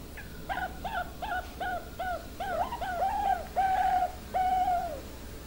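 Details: Bangkok-strain zebra dove of the crystal line: a series of soft cooing notes, short and evenly spaced at first, then lengthening into drawn-out final coos, over steady low background hum.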